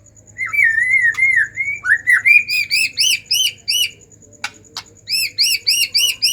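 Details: Excited white-rumped shama whose song is meant to stimulate other shamas: wavering slurred whistles give way to a rhythmic series of arched, ringing notes in quick groups, broken by two sharp clicks.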